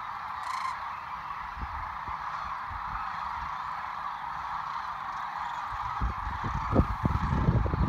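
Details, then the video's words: Sandhill cranes migrating on Nebraska's Platte River in March 2017: a continuous chorus of many distant calling birds, joined by low wind rumbles that grow stronger in the final two seconds. "Sandhill Cranes"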